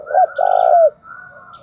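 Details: Short burst from a decoy spotted dove: a brief hollow note then a long, even coo ending in a downward slide, with a faint higher tone running beneath.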